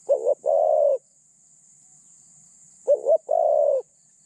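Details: Spotted dove used as a decoy to attract wild doves, its voice called mid-pitched and lightly phrased; two identical phrases about three seconds apart, each a fluttering double note leading into a long smooth coo.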